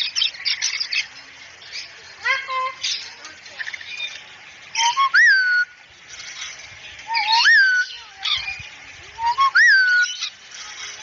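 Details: Cockatoo on a tutoring recording for a fast-talking, chatty cockatoo: clear rising-falling whistles repeated about every two seconds, with a short nasal squawk and rough background chatter.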